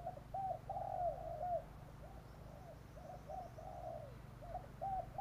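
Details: Spotted dove lure call for drawing in wild doves. A quiet run of low, rounded coo notes repeats unevenly throughout, partly buried under steady background hiss and a low hum.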